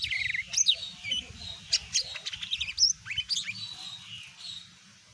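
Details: Greater green leafbird, mini type, singing to provoke a response from other birds; a jumble of thin whistles, steep rising and falling chirps and short buzzy notes that fades away near the end.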